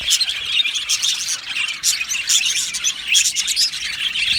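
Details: Aviary colony of Australian budgies chirping and singing: many overlapping high, scratchy twitters and warbles, with louder bright chirp bursts near the start and again around the three-second mark.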